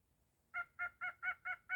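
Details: Pet cockatiel indoors, said by its owner to be barking like a dog, gives six short, harsh, buzzy calls evenly spaced about every quarter second after a brief quiet start.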